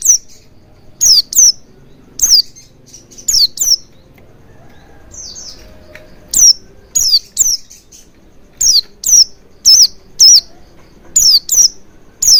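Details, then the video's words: Oriental white-eye lure sound used to trigger full singing: piercing high chirps that slide downward, often in quick pairs, about one per second, with a short quieter pause midway and faint background noise. "Pancingan Burung Pleci Agar Cepat Ngalas & Buka Paruh Maksimal"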